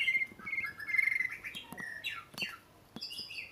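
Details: Oriental magpie-robin song of sustained clear whistles, some wavering, followed by downward-sweeping notes and a higher, bright whistled ending phrase, with a few sharp clicks between.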